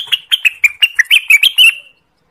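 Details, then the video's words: Orange-spotted bulbul singing one quick, cheerful phrase of about ten bright chirping notes that bounce up and down in pitch, a song used to lure birds for trapping and to train songbirds. "suara burung cucak Wilis / renganis ampuh untuk pikat, pancingan dan Masteran"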